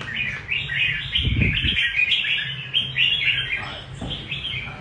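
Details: Red-whiskered bulbul pouring out a dense 'rê cầu' style song of rapid warbled and chirped notes, with a short low knocking sound early on and a faint hum beneath.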